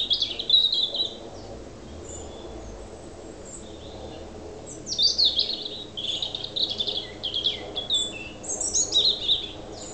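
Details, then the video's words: A European robin in Alyth, Scotland, on 30 September 2007 sings autumn territorial song: thin, high, liquid warbled phrases in short bursts separated by pauses, over a faint low hum. "The Song of the Robin"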